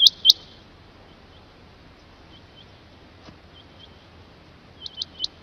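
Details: A loud pair of Rain quail whistles opens, followed by near silence and then a softer run of three high notes at the end.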